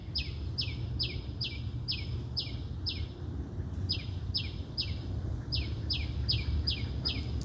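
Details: Birds chirping at sunrise while the moon is still up: a rapid series of high, sharply downslurred chirps, roughly three per second with a short pause midway, over a steady low rumbling background noise.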